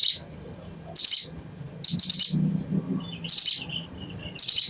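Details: Crimson sunbird chatter meant to stimulate other birds into song: high, scratchy chirps in quick bursts roughly every second or so, with faint thin notes between and low background rumble.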